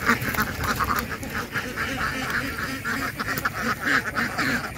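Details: Ducks giving loud, harsh quacks in irregular bursts, several birds overlapping against a busy background.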